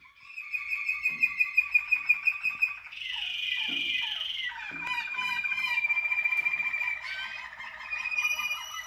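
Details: Waterslager canaries, 2019: a steady, rapid rolling trill that shifts up in pitch after three seconds, then into lower bubbling pulsed tours. The phrases run on continuously with no real pauses.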